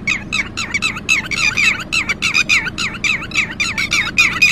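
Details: Alarm calling of a red-wattled lapwing that has lost its chick, a fast, uneven stream of harsh, bouncing notes repeated several times a second, with faint low noise behind.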